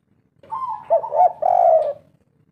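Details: Spotted dove, local kuk 3 style bird: a single phrase made of a level rolling coo that breaks into a hoarse, drawn-out falling note, all deep and mellow.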